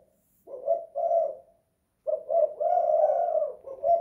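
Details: A spotted dove indoors in a house, kuk 2 / guk 1 style: two quick low coos, a pause, then a longer phrase of linked, hollow notes ending in a short coo.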